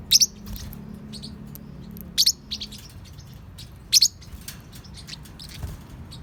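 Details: Active young parrotlets of the genus Forpus, 3–4 months old, give a few short piercing chirps, some doubled, separated by quiet gaps, with soft lower rumble behind.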